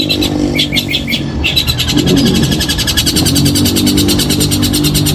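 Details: Long-tailed shrike performing a loud, coarse 'nembak kasar' song for training and competition: a long, dense run of buzzy, rasping notes fired in rapid succession, with a steady low hum underneath.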